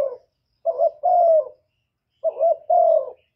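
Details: Spotted dove luring call for stimulating other doves: two phrases, each a short rising note then a longer, flat to falling mellow coo, separated by a clear pause.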